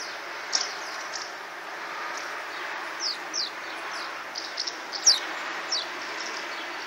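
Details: Swallows flying in the Tudor quarter of Miercurea Ciuc (Csíkszereda), Romania, give scattered high, thin twittering chirps in flight, short sharp notes every second or so over a steady background hiss.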